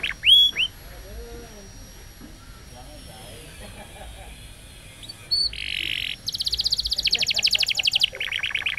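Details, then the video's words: Canary singing a roll song meant for training young birds. Quiet stretches hold a few soft notes and a short sweep, then the bird bursts into dense, rapid buzzy trills and a brief chattering roll near the end. "Canary Bird Singing Roll Video Training Canaries Canary Singing Like A Champion For Young Canary"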